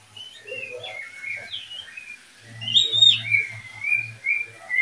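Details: Paired oriental magpie-robins, the keeper's second breeding pair: scattered whistled notes at first, then a louder burst of high sliding whistles and twittering over a steady low hum.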